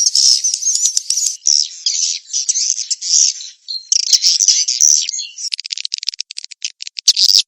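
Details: Swiftlet call for luring birds, of the mating-chase type: continuous shrill twittering in rapid bursts, with a short gap midway, then a stuttering run of quick clicks and a final squeaky flourish.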